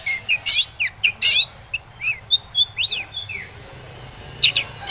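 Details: Long-tailed shrike singing as a lure to provoke other shrikes into responding; a few harsh notes, then rising and falling whistled slurs and chevron-shaped notes, ending in a pause and a final burst.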